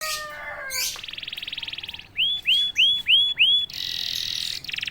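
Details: Domestic canary, prompted once and then bursting straight into song: a low descending whistled phrase, a fast buzzy trill, then five loud rising-falling swooping notes repeated about every third of a second, ending in a high rapid trill.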